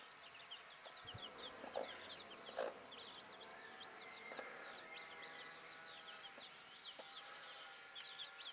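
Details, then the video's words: Bantam chicks and their broody mother: dense high peeping in quick chirps, with a few low knocks and thuds. "Glucke in Aktion Hühnerkücken Hen hen chicks in action"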